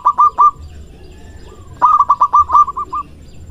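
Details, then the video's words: A local male zebra dove sings loudly during courtship: three short purring notes, a pause with a faint slide, then a longer run of about nine rapid rolling coos. "Perkutut Lokal Gacor Suara Besar Merayu Jantan"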